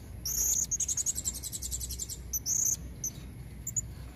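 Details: Lure call of a female blue-crowned hanging parrot, recorded in nature: a fast, even series of high squeaky pulses lasting about two seconds, followed by a short buzzy burst and a few isolated chips.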